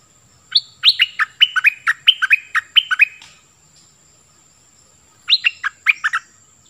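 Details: Cream-vented Bulbul kept as a decoy bird, singing fired up: bubbly, liquid phrases of quick falling and rising notes, a burst of about ten notes, a pause, then a shorter run.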